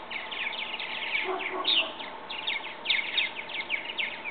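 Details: Purple martins, young birds old enough to leave their bird house and try flying: an unbroken, chattering wash of overlapping high chirps from many birds, with softer lower notes mixed in.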